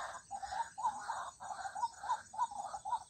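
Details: White-breasted waterhen calling: a fast run of harsh, croaking notes, several per second, in short grouped bursts with brief gaps between them, over a faint hiss.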